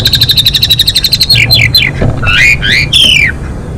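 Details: Female Asian pied starling, kept as a caged bird, singing to bring males into breeding condition: a fast run of repeated chattering notes, then loud descending whistled slurs and rising-falling squeaky phrases.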